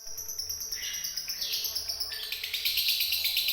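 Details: Lovebird in Indonesia singing in the konslet style: dense, high buzzy chatter of rapid ticking notes, about three per second, with sweeping overtones rising and falling across the phrase.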